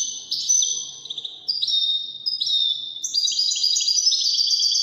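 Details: European goldfinch singing Wydani style from Morocco: bright, high, rippling trills in steps that rise and fall, swelling into a denser twittering burst toward the end.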